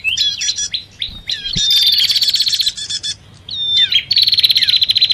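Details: Bar-winged prinia, or prenjak, calling excitedly in a lure blend with sirtu or cipoh (common iora). Short whistled notes and chips lead into long, fast, buzzy rattles, with a quiet gap before a final burst.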